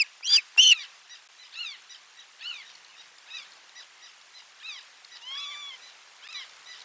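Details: Osprey at nest 4 during a lunchtime fish delivery, 12 July 2022: a series of thin, arched, whistled notes. Two loud bursts open the clip, then softer repeated chirps, with a drawn-out descending note near the end.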